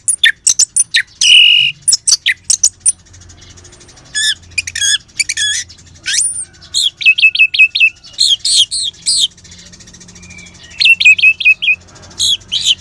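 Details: Orange-headed thrush, ngeban song style played to stimulate caged birds: a long varied sequence of sharp high chips, buzzy slurs and fast repeated whistled notes in short clusters, with brief quiet gaps.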